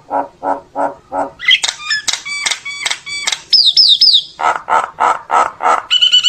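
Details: Flock-calling song of a common myna: low chuckling notes repeated evenly, clicking stacked chips, a wavering high whistle, then more low gurgles and a buzzy ending.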